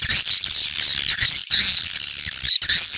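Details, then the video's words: Swiftlets calling in the location-check style used to attract birds: continuous, shrill, high twittering chatter with barely any pauses, broken by one brief gap before resuming. "Suara ceklok burung walet terbaik"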